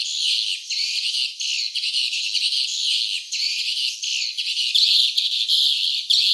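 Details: Swiftlets at a nest site: dense, continuous high twittering and chirping, pulsing in short bursts with brief dips, all in a high register with no low sounds at all.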